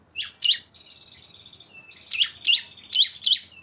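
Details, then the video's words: Lure of two cisem birds combined: paired ringing chirps, a thin sustained buzz, then four evenly spaced sharp falling notes. "CISEM GACOR ‼️ SUARA BREN kombinasi 2 burung"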